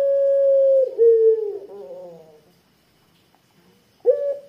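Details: Puter pelung Barbary dove with a thick voice, used as a decoy lure, holding a long level coo that breaks into a falling, wavering tail, a pause, then another strong coo begins.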